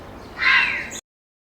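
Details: On 25 May 2021, in an urban area with four to five grey herons (Ardea cinerea) roosting in a conifer tree, one gives a loud, harsh, rasping croak lasting about half a second, then the sound cuts off abruptly.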